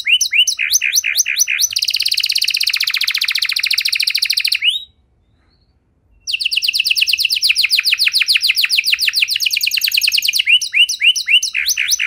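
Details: Canary in full, long-duration song used to stimulate silent canaries into singing: rapid trilled tours of descending notes, a dense buzzing roll, a brief pause near five seconds, then fast repeated sweeping syllables resuming.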